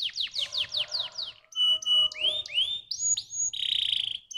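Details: Canary song meant to stimulate other canaries: a fast series of descending high notes, then rising swept whistles and a dense buzzy trill near the end.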